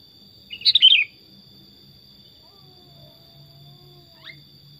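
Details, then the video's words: Tame sooty-headed bulbul kept as a pet delivers one rapid, liquid phrase of several descending whistles, followed by near silence with a faint later note and a constant high-pitched whine. "Kutilang Super Gacor Suara Alami Hutan"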